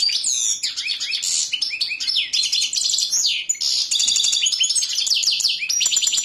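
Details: European goldfinch singing a continuous, high, tinkling warble of rapid twittering notes, liquid trills and quick buzzy rolls, unbroken for over six seconds.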